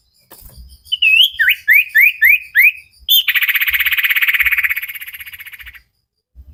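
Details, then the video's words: Energetic common iora song for training cage birds: a run of five or six loud, slurred whistles that dip and rise, then a long, dense, buzzy trill lasting over two seconds, with soft low thumps. "Burung cipow sirtu masteran Gacorrr banget"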